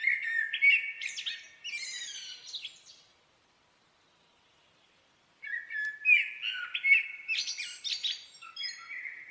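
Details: Two full blackbird song phrases separated by about two seconds of silence, each a throaty fluted warble running into a jumble of high, squeaky, chattering notes.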